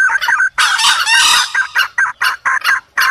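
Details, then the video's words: Calls to lure wild junglefowl: quick clucks, a long harsh crowing burst, then evenly spaced short clucks about every third of a second. "pikat ayam hutan pake suara ini"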